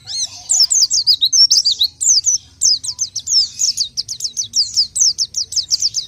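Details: Main song of the orange-headed thrush (pelci): series of clear high downslurred whistles repeated rapidly, several per second, with brief pauses between bursts; a soft low hum underneath.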